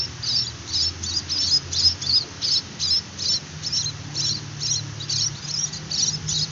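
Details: Hand-fed young munia begging with repeated high, raspy chirps in short bursts about every half second, over a faint low hum.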